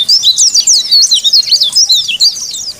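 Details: White-eye singing to challenge rivals, a fast, loud, continuous warble of high, sharply rising and falling slurred notes, tightly packed with barely a pause.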